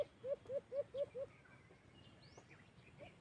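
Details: Alimokon, the white-eared brown dove, recorded during cage-trap hunting: five loud, low, slightly rising hoots delivered in quick succession, followed by quieter background bird twitters and a faint distant note near the end.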